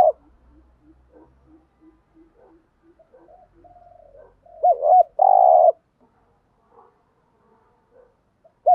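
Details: Decoy recording of a spotted dove meant to lure wild doves: a run of quiet, evenly spaced soft notes builds into a loud burst of coos, a looped note followed by a long, rough, steady coo, then near silence.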